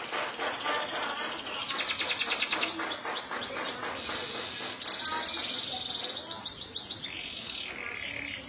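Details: Local canary in energetic song: dense rattling trills give way to a run of looping slurred notes, a sustained high buzzy stretch, then quick chattering phrases and a rising whistle at the end.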